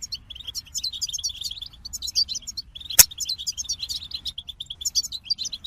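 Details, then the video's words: Goldfinch song of rapid, high twittering notes and bright trills running almost without pause, interrupted once midway by a sharp click. "The Captivating Call of Goldfinches"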